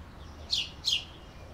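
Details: Canary giving two quick, bright chirps, each sliding downward and spaced about a third of a second apart, over a quiet low hum.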